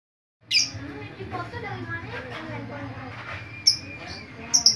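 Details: Chatty lovebird used to lure other lovebirds: sharp, bright chirps open and close the stretch, with softer twittering murmurs and a low steady hum between them.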